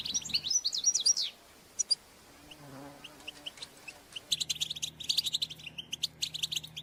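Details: European goldfinches calling in a group to encourage males to sing: a burst of varied, swooping twitter notes, a quieter pause with a few chirps, then a steady stream of quick chattering notes.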